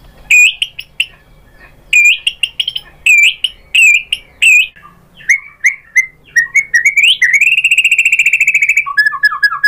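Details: White-rumped shama lure song to agitate other shamas into singing. Rhythmic loud whistled phrases every half second, followed by varied chirps and a long fast buzzing trill.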